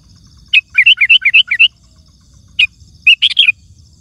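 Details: Sooty-headed bulbul song for calling wild birds: a long run of rapid bubbly two-part whistled notes, then a pause and a shorter burst of tumbling chirps, over quiet low-pitched background noise.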